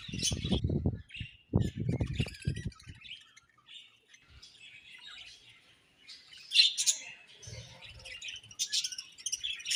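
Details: Budgies give scattered high chirps and short warbled notes between quieter gaps, with loud low rustling and knocking bursts early in the clip and near the end.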